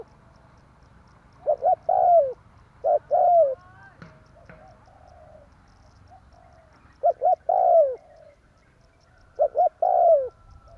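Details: Spotted dove lure call, tarik akar style, used to draw birds for trapping: four phrases of two quick soft notes and a longer falling coo, with a few sharp clicks between phrases.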